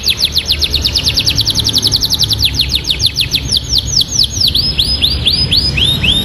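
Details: Canary singing in lively, full voice in the 'isian ciblek' style: a long, rapid trill of high, thin, downward-sweeping notes, about five to six per second, slowing slightly into separate curved whistles toward the end, with faint low hum beneath.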